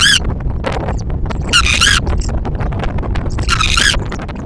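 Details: Tawny owls at a nest in Liszkowo as the male delivers food: harsh, wavering squealing calls in three bursts, each under half a second, amid loud scratching and thumping close to the microphone.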